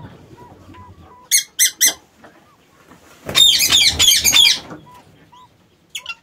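Lovebirds give three shrill, harsh screeches, then a burst of dense, raspy chattering and a few more sharp squeaks. Soft, low whistles sound in between.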